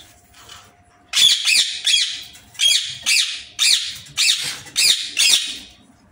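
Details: Caged Indian ringneck parrot in an aviary repeating harsh, grating screeches, about eight rasping notes spaced roughly half a second apart over a faint steady hum.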